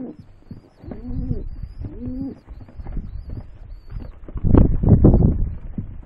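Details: Rock dove cooing: two arched, moaning coos near one and two seconds, followed by louder low rumbling notes toward the end, with a faint high hiss above.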